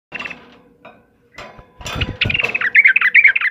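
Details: Yellow-vented bulbul in vigorous gacor song, used as a master recording for training caged birds: after a muffled, noisy start come clustered bright chirps, then a fast run of bubbly warbled notes near the end.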